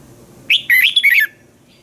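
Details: One short, clear phrase from a caged Thai Red-whiskered bulbul's training song, with quick whistled notes rising and dipping over about three quarters of a second.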